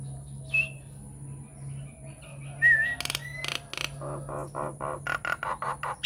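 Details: Nias hill myna lure song for prompting other mynas to answer: clear whistles and a wavering whistled phrase, then a run of loud, harsh, rapid broadband notes over a steady low hum.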